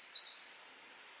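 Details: A single high, thin warbler phrase from an eastern crowned warbler: a quick downward slide flowing into a long, buzzy note that rises gently, then silence.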